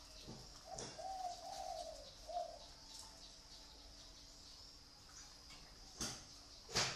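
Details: A pet dove in Vietnam gives one soft rolling coo phrase closing with a brief note, followed by sharp clicks and knocks.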